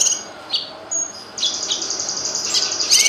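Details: Grey-cheeked bulbul song for tutoring caged birds: quick, thin, high-pitched chips and short buzzy trills in rapid succession, growing louder toward the end.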